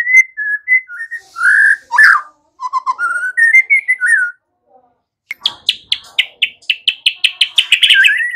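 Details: Song of a white-rumped shama, meant as a lure so young untrained birds learn to sing loudly: varied clear whistles and slurred phrases, a short silence, then a fast burst of rapidly repeated sharp notes ending in a falling whistle.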